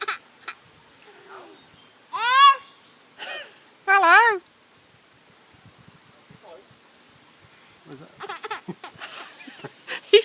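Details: A myna at Newquay Zoo mimics human speech with loud, clear, word-like bursts, one rising and falling like "hello"; it also says "bye" and "I like your phone", in what sounds like a Cornish accent. People talk and laugh nearby.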